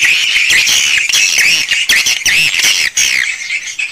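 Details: Swiftlets recorded inside their own swiftlet house: many overlapping squealing, bending chirps in rapid succession, a loud shrill chorus that quietens near the end.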